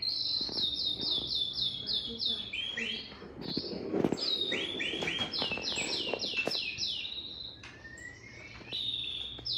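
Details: Male white-rumped shama delivering fast runs of repeated high descending notes, several rapid series broken by short gaps, with background knocks and a steady hum.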